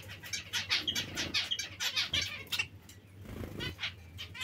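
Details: Zebra finches repeat quick nasal call notes in a fast, uneven series, roughly one and a half per second, with a quieter gap and soft noise near the end.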